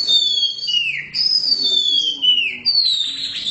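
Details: Oriental magpie-robin, the black kacer, singing clear drawn-out whistles that slide downward, repeated in three long phrases with short breaks, pure and sweet in tone.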